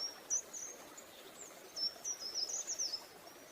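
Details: Green-headed tanager in Bogor giving thin, very high sibilant notes in a quick, irregular series, several clustered near the end, over steady background hiss.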